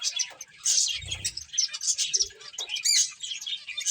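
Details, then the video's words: Short, sharp, high finch chirps tumble over one another as the birds play, a few clearer whistled notes standing out, with a soft low rumble near the start. "Cute Birds Chirping Sounds | Beautiful Finches Playing"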